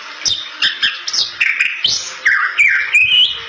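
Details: Bali myna, rare and protected, in full song to lure other Bali mynas: quick upswept whistles, a long rising slur and a descending warble, laced with dry clicks.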